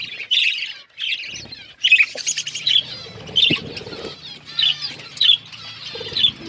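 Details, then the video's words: Budgerigars feeding, giving separate bright chirps and short warbled notes in a loose series roughly every half second, with quiet spells between and a faint low hum. "Budgies eating food | Birds eating food | Birds chirping sounds"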